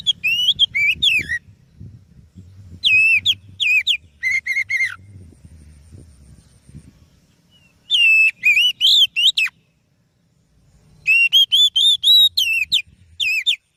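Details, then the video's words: Oriental magpie-robin song used as a lure bird: bursts of loud, rich whistled phrases with rising and falling slurred notes, in three spaced groups separated by quiet pauses, over faint low background rumble. "Suara Burung Kacer Yang Sangat Indah,Cocok untuk Pancingan"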